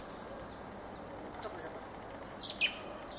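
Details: Thin high squeaks and wheezy whistled slurs from a Fieldfare, in a few short phrases with brief gaps.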